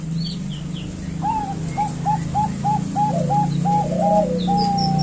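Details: Female Bangkok zebra dove calling the male, a lure recording for teaching males to sing: a run of about ten short, clipped cooing notes at a steady quick pace ending in one longer drawn note, over a low constant hum.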